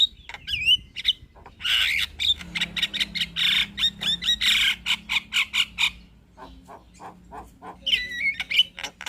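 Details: Javan myna singing a chattering master song for training other birds: harsh rasping notes and whistled slurs, then a run of evenly spaced clicking chatter, ending with looping whistles.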